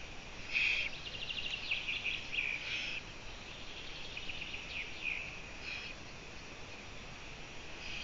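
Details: Eurasian eagle-owl heard from a live camera feed at 04:49 on 14 June 2017, giving rough, grating rasps in quick succession during the first three seconds, then fainter scattered rasps over constant hiss.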